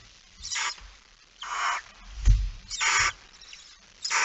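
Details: Barn owl, night of 17 September 2019 near midnight, male arriving carrying a mouse: several rough hissing bursts roughly a second apart over a noisy background with a low thud in between.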